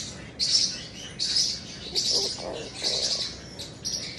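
Cockatoo giving harsh, raspy screeching bursts about once a second, high and grating, with a few softer squawks between them.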